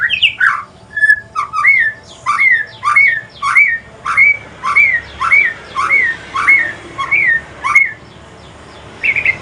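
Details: Aceh white-rumped shama in evening song, shifting to pastol style. A few mixed whistles open a long string of about a dozen repeated, sharply rising whistled notes, each followed by a click, then a short pause.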